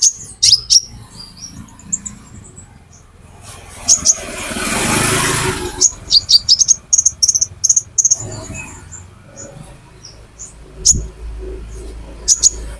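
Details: Lure recording of the olive-backed sunbird, the 'konin': bursts of sharp, very high chips and short thin trills, scattered unevenly. A loud hissing rush of noise cuts in for about two seconds midway, with a faint low hum beneath.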